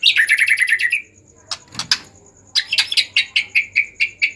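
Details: White-rumped shama in an agitated mood, used to prompt silent shamas to sing: a fast cascade of tumbling notes, scattered clicks, then a run of bright evenly spaced chips repeated about twice a second.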